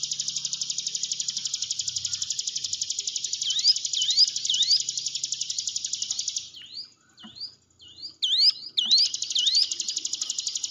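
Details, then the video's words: Hill prinia song used to stimulate a timid caged bird: a sustained high, rapid buzzing trill carries on for seconds, joined by quick rising whistled notes, then a short gap of scattered swooping notes before the trill returns. "ciblek gunung diam saja kurang loss mental ciut latih dengan pancingan ini"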